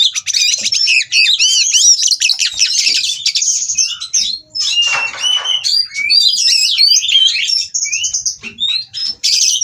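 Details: Mating oriental magpie-robin, caged at an Indonesian breeding farm in Kroya, singing to provoke rivals: a long, dense stream of high chattering notes, buzzy trills and clear whistled slurs, with a scratchy rasp near the middle.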